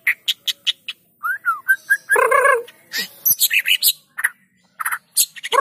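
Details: White-rumped shama singing, played to prompt other shamas to sing: a series of short spaced notes, a string of clear whistled slurs, a loud rasping burst, then rapid varied chips.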